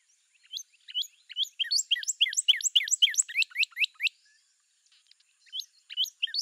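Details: Song of a Northern cardinal: a quick accelerating string of slurred whistles, each sweeping downward, lasting about four seconds, then a pause and a few more notes.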